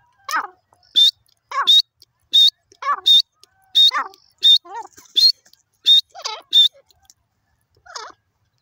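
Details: Grey francolin calling in a forest: loud, sharp, clipped notes topped with a thin high whistle alternate with lower wavering, chevron-like notes, about one and a half notes per second, in a quiet background.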